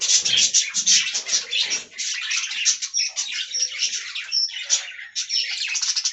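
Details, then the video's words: Colony of budgerigars in an aviary giving busy warbling chatter, bursts of harsh chirps and sharp whistled notes, loudest at the start and then easing into steadier twittering. "Budgie Talking Compilation"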